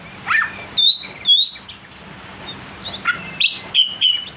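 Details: Oriental magpie-robin provoked to sing aggressively: clear, high whistled notes and short sweeping slurs, given in separate bursts with brief pauses, over a faint steady background hum.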